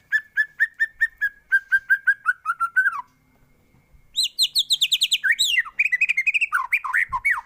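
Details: White-rumped shama in full varied song, used as a tutor recording for training other birds: a run of even whistled notes repeated about five per second, a short pause, then fast rich rising and falling warbled phrases.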